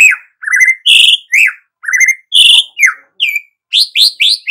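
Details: Loud white-rumped shama phrases: clear rising and falling whistles alternating with harsher buzzy notes, repeated at a steady quick pace.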